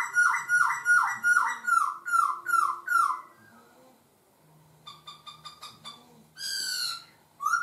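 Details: Laughingthrush varying its voice: about ten loud downslurred whistled notes in a fast even series, a pause, faint clipped notes, then a strong rising whistle.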